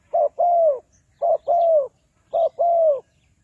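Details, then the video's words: Spotted dove used to lure wild doves for trapping, Ninh Thuận, in a regular series. Three paired phrases, each a brief low note and then a smooth, falling coo, about one second apart, loud and clear. "Tekukur Pikat"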